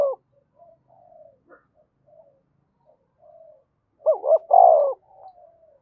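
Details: Spotted dove from Đồng Nai, Vietnam, giving calling and urging coos used to stir up decoy birds; soft, low hooting notes scattered at first, then a loud, wavering burst of throaty coos near the end, then a fading coo, in a quiet background.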